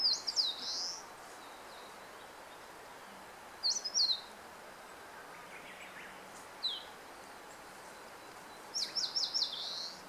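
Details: Song of an Eastern crowned warbler on 26 April 2014: high, rapid descending notes ending in a buzzy drawl, repeated several times across ten seconds, with short single notes between phrases and a quiet background.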